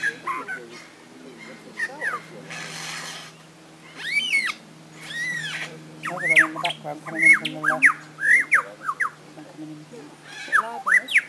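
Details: Lyrebird, the Australian forest bird known for copying sounds, gives arched whistled notes and varied slurred chirps in irregular bursts, with a brief noisy rush and a constant low hum behind.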